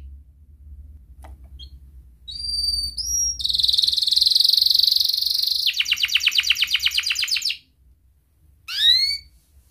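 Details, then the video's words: Singing Atlantic canary in a lure recording to prompt other canaries to sing. Clipped high whistles rise to a long piercing buzzy trill, then a quick rattle of sweeping notes, silence, and one last down-slurred trio of notes. "Kenari gacor NGEREK Cuit cuit EMOSI"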